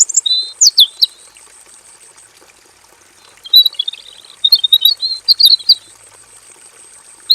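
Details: Male robin singing in a simple aviary cage, giving full song: a few sharp opening whistles, a pause, then a long stretch of rapid warbling, twittering notes with a faint steady whine throughout.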